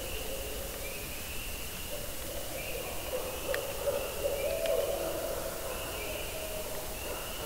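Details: A Barred owl hoots low and muffled very close to a woodland campsite at night in spring, over a steady high insect or frog chorus.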